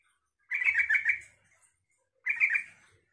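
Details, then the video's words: Yellow-vented bulbul giving two bubbly, chattering phrases about two seconds apart, the first longer, in an otherwise quiet recording; the song is used to get other bulbuls to answer. "suara trucukan ini bikin trucuk lain nyaut dan ikut gacor"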